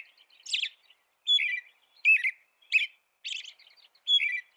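American robin singing six short, slurred caroling phrases about one per second, clear and slightly husky, with squeaky higher notes mixed in; quiet background.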